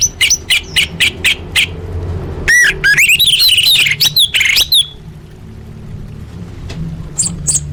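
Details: Orange-headed thrush song played as a lure to get caged birds singing. A run of short sharp chirps comes first, then a quick tumbling phrase of varied, twisting whistled notes, with steady low hum underneath.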